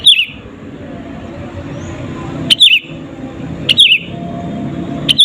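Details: An active sooty-headed bulbul, recorded alone as a lure to provoke rivals, gives brief bubbling phrases of two or three falling notes roughly every one and a half seconds against a soft, low background rumble.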